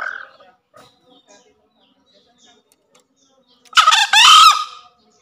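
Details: Green junglefowl giving a brief, hoarse two-part crow that rises sharply, then drops off; used as daily training audio for newly caught or quiet green junglefowl.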